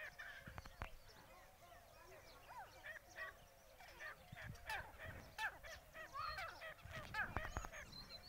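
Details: Three wild grey francolins fighting a pet francolin: scattered harsh notes at first, then a dense burst of overlapping ringing calls and sharp clicks building toward the end.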